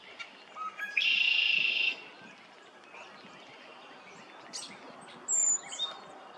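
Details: A brown creeper at Nimisila Reservoir, Summit County, Ohio, on 13 March 2020 gives a single very high, thin, drawn-out seee call, after an earlier louder buzzy burst from another source, over soft hiss.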